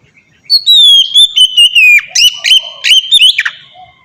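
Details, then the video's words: Kacer, white-rumped shama, ngeplong song for training captive birds: a long clear falling whistle broken by sharp rapid chips and downslurred notes, about a dozen in three seconds. "suara burung kacer ngeplong merdu"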